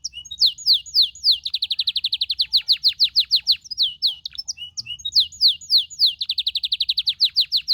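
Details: Canary song of repeated swooping high notes alternating with rapid even trills, loud and continuous throughout.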